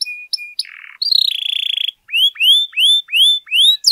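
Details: Canary singing to rouse other canaries: a few short level whistles and clipped chips, a rough buzzy segment, a sustained trilled note, then five or six loud rising-then-falling whistled slurs evenly spaced.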